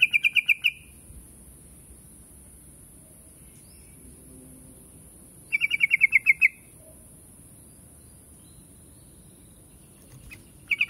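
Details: Rapid bursts of bright, clipped chirps from a yellow-vented bulbul (trucuk), recurring about every five seconds, with long quiet stretches and a faint background hiss between them.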